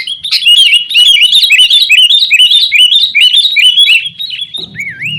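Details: Sooty-headed bulbul pouring out a loud, rapid chattering song of looping, bouncy notes, used as a lure to prompt caged birds to sing, ending with one slurred whistle.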